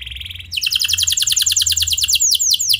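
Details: Canary song, clear and rolling, used to draw other canaries into singing: a short steady buzz, then a quick run of bright repeated chirped notes slowing into sweeping whistles.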